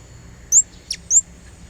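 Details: Blue-crowned hanging parrot used as a lure to call a rival: two thin, very high, slightly rising chirps less than a second apart, with a faint click between them.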